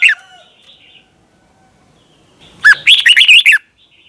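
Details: Thai caged Red-whiskered bulbul singing a doubled song meant for young birds to copy. A brief falling whistle opens, then after a pause comes one full phrase of quick, bubbly warbled notes lasting about a second.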